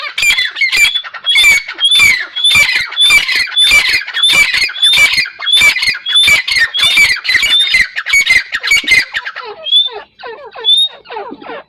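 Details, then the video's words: Partridge uttering steady rhythmic harsh squawks for about nine seconds, each with a short rising whistle, then quieter scattered whistles and descending notes. "Teetar awaz | Teetar sound | Teetar voice | Teetar ki awaaz"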